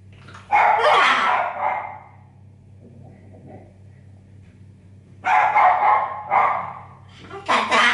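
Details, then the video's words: Pet parrot chatting with its owner indoors, in a chatty mood: two bursts of harsh, raspy, voice-like chattering, the first about one and a half seconds long and the second broken into several phrases, separated by a quiet pause. "un pappagallo chiacchierone"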